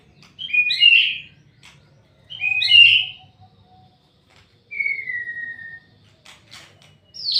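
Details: Repeated loud whistled phrases from a white-rumped shama, two matching rich bursts followed by a long clear descending whistle and a final sharp note, in a quiet setting.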